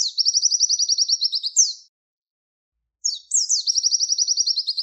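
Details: Javan white-eye tutor song used to train songbirds, in the tembakan wit wit style: two bursts of very high, rapid chirping trills, each note a quick sliding tweet repeated in a fast steady run, with a one-second pause between bursts.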